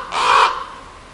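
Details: Crow giving a single harsh, rasping caw lasting under half a second, followed by faint background hiss.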